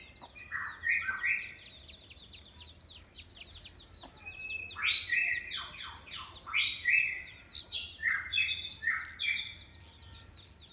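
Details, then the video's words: White-rumped shama decoy singing to attract rivals: repeated groups of varied whistled phrases through the passage, ending in sharp high chips, over a constant high-pitched hum and faint low rumble. "Choè lửa mồi chiến shama bird"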